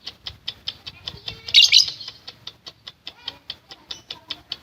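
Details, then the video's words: Lovebird used as a provocation call for fighter lovebirds, giving spaced, sharp high chips about four per second, broken by a brief loud burst of harsher squeaky notes in the middle. "Love Bird NGETIK Latah Gacor Ngekek Panjang | AMPUH Pancingan Love Bird Figter"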